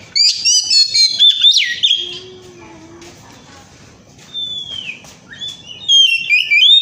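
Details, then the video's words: Oriental magpie-robin in lively 'ngemplong' style song used as a lure to prompt other birds to sing: bursts of rich, varied whistles and trills at the start and end, separated by a quiet stretch with a low faint tone. "kacer gacor ngemplong"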